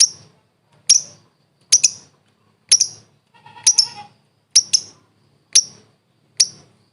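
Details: Lovebird for bird training: single loud, sharp, high chips spaced about a second apart, one with a brief lower buzzy note in the middle.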